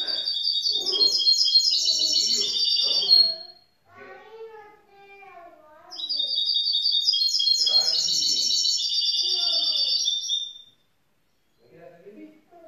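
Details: Grey-blue young goldfinch mule, a hybrid, giving two long bursts of rapid high, chattering, trilled song, each about three to four seconds. Softer lower chirps and sliding notes fill the pauses between bursts.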